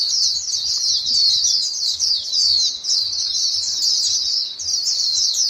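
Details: White-eye flock chattering to one another, played to prompt caged birds to start singing; continuous high-pitched twitters and quick chirps crowd together with only brief dips in loudness.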